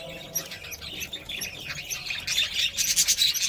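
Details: Female budgerigar caring for her newly hatched chick; rapid, scratchy, high chirps and chattering twitters grow louder and denser toward the end, with faint rustling.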